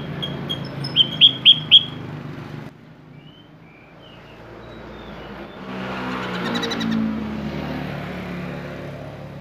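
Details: A sooty-headed bulbul's varied song: a few soft notes, then four bright whistles in quick succession, followed by long stretches of rumbling background noise.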